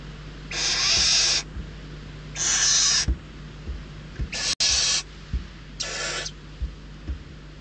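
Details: Starving barn owl chicks in a nest box at Riet Vell reserve, Ebro Delta, squabbling over a delivered mouse; four loud breathy screeches, each under a second, separated by scuffing taps against low background hum.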